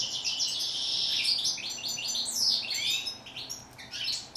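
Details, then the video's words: European goldfinch, called chardonneret in French and steyla in Morocco, singing a fast tumbling run of high twittering, buzzy and sliding notes with short trills, almost continuous through the passage. "Song of bird goldfinch"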